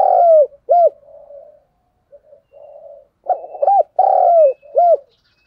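A Spotted Dove coos softly and hoarsely, mixing drawn-out low notes with short, arched coos in two phrases separated by a brief pause.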